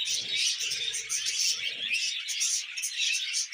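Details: Budgerigars kept as pets sing happily over their vegetables: constant high twittering and squeaky warbled notes, with a low murmuring, crunchy sound underneath during the first two seconds.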